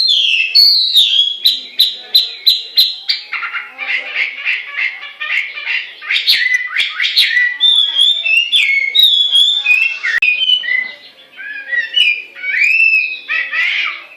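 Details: Chinese hwamei song: about a dozen crisp notes repeated evenly, followed by a long, rapid medley of varied whistles, trills and slurred phrases without a real pause.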